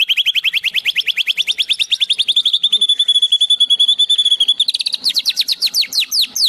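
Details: White-rumped shama giving mimicked song copied from sparrows and kingfishers: rapid rising chip notes accelerate into a sustained ringing whistle, then break into quick sharp downslurred notes; loud and clean with no other birds audible.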